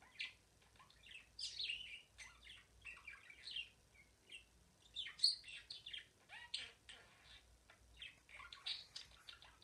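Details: Pet budgie in continuous warbling song, a jumble of squeaky chirps, rasping notes and short whistled sweeps running on with few pauses, quiet room behind.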